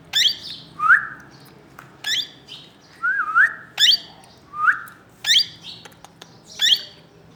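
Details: Plum-headed parakeet calling: sharp, high squeaky notes with rising harmonics, alternating with shorter upslurred whistled chirps, about one call per second over a steady background hiss.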